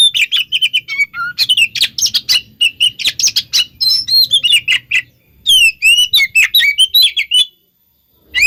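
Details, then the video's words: Oriental magpie-robin song used as a lure so other magpie-robins will answer, from a mixed recording: fast sweet whistles and chattering notes, a short pause, then a fresh burst of clear rising and falling whistles. "Pancingan Suara Kacer Pasti Kacer Anda Nyahut Bikin Konslet"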